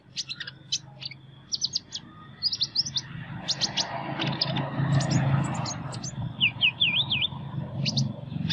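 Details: Sunbird with an unusual voice giving sharp, high, clipped chirps in quick bursts, ending in a short run of rising and falling squeaky notes, over a steady low rumbling background.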